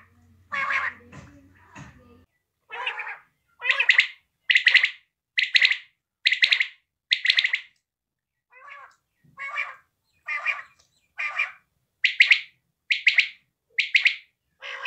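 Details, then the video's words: Quail calling steadily: short bright notes in phrases, repeated about every 0.7 seconds across fifteen seconds, with a brief gap midway. Faint low hum and a few rougher notes come at the start. "batait ki new awaz || bedana بلدرچین awaz"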